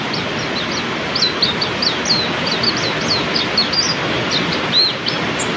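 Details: Oriental white-eye song during heavy rain: a quick run of thin high chirps and rising-falling whistles, closely spaced and repeated, set against a constant roar of pouring rain.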